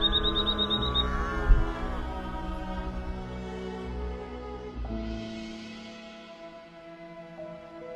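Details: Soft, sad instrumental music with sustained tones and a faint high chiming melody at the start; no animal voices.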